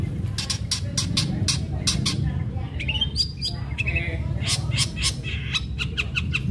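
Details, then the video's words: Long-tailed shrike singing hard as a lure to set other shrikes singing: dense run of harsh, rasping broadband notes with a few short whistled slurs mixed in, over constant low background hum. "Cendet gacor Tarung Tajam Bikin cendet lain terpancing ikut Gacor"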